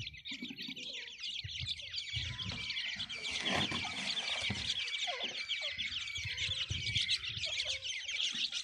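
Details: Grey francolin chicks being fed, giving a dense, continuous chorus of high thin cheeping calls throughout, with scattered soft lower rustling and pecking sounds beneath.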